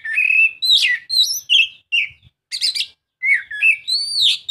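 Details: Continuous Oriental magpie-robin song for encouraging a reluctant singer: a tumbling stream of whistled and warbled phrases, rising and falling, broken by a rapid buzzy rattle midway.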